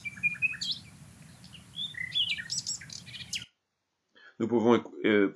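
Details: Common Nightingale song recorded in Portugal: varied high whistles and sharp chirped notes for about three seconds, then a pause and a man speaking.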